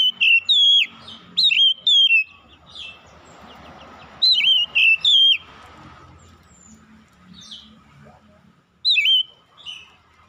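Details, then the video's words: Oriental magpie-robin singing in the morning. Groups of two or three bright, sweet whistles fall in pitch, and the phrases repeat after short silences over a soft background murmur. "KICAUAN KACER INDAH DI PAGI HARI"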